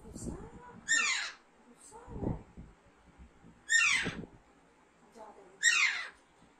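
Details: Harsh descending screeches from a young pet Alexandrine parakeet, three loud calls spaced about two and a half seconds apart, mixed with a person talking softly in between.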